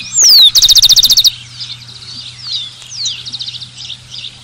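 A Rufous-collared Sparrow sings a clear, high whistle sliding downward, then a quick dry trill of about ten notes; fainter birds chirp afterward over a low hum.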